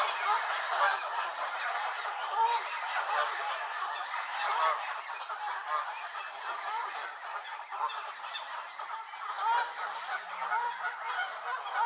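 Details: Angry Canada geese at Elvaston Castle on 3-10-15 honk loudly and continuously, with many overlapping harsh calls from a flock and no clear pauses.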